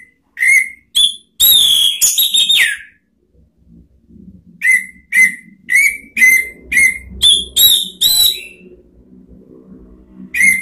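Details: Orange-headed thrush song meant to provoke other birds into singing, heard as short bright whistled notes repeated about twice a second, a harsher rushing phrase early on, and faint low background murmur.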